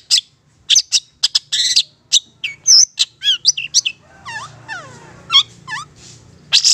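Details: A Madura long-tailed shrike sings a fast, varied medley of harsh chattering bursts, sharp ticks and clear rising and falling whistles, with a faint low hum behind.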